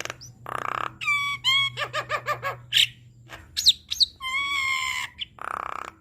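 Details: Captive Javan myna singing a varied master song used to train and prompt other caged birds: buzzy bursts, rising whistles with rich overtones, a quick run of repeated chattering notes, and squeaky twists, with a faint low hum behind.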